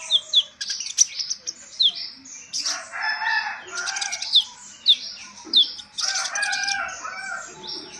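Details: Sunbird song used as a lure for wild-caught young birds: sharp, high, rapidly falling chirps repeated in quick bursts, mixed with lower warbling and rustling notes.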